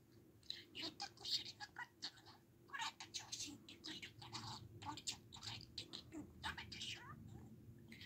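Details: Pet budgerigar chattering at home, a dense run of rapid, scratchy, buzzy syllables with quick clicks and brief squeaks, nearly continuous with short pauses over about eight seconds; faint low room hum underneath.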